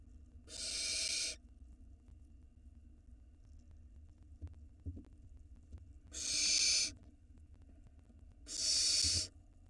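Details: Barn owl nestling at the entrance of its nest, recorded by a live camera in Israel in 2022. Three harsh, airy hisses, the first followed by a long pause, then two more about two and a half seconds apart, with soft bumps between.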